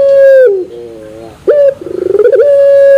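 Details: Long drawn metallic coo from a Barbary dove in pelung style, dropping into soft low notes, then a sharp rising note, a fast pulsing roll and another held level coo.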